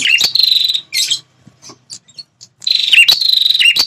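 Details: Red-headed prinia (prenjak kepala merah) call for luring territorial wild males into an angry response. Shrill buzzing trills near 4k, in two long bursts separated by faint scattered chirps.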